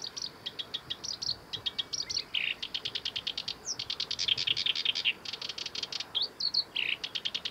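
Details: Black-browed reed warbler (Acrocephalus bistrigiceps) singing a fast, continuous jumble of high clicking trills, scratchy buzzes and sharp whistled notes at Kita-Fuji training area, Japan, 23 July 2021.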